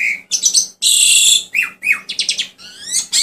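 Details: Asian pied starling giving a dense medley of whistled notes, long harsh hissing rasps, downward slurs and quick chattering squeaks, almost without pause, over a faint low hum.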